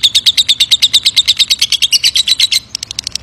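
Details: A lovebird's ngekek, a long trill meant to provoke a response, heard as a quick run of piercing, clipped chirps for about two and a half seconds, trailing into softer, scattered notes.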